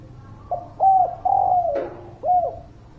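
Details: Single phrase of spotted dove song, used as a lure for quiet birds: a soft introductory note, a clear coo, a long descending purr, a brief click, then one short closing coo.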